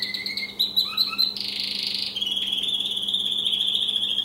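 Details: Male American Singer canary singing in a cage indoors: quick chirped notes and short trills, a harsh buzzy burst, then a long level ringing trill held to the end over a low steady hum.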